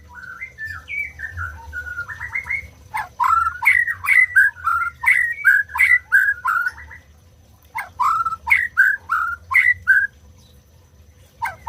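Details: White-rumped shama song to trigger silent birds to sing: soft warbling whistles first, then bursts of rapid, loud, slurred whistled notes, a pause, and another fast burst, over a low hum.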